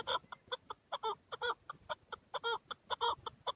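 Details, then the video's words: Recorded in 2020 in Darvoz, Tajikistan, a male chukar partridge utters loud, grating clucks in irregular clusters, some notes doubled, repeated nearly twice per second. "Овози Нар Кабки маст Дарвоз 2020. Горная Куропатка (Кеклик) вТаджикистане Keklik in Tajikistan 2020"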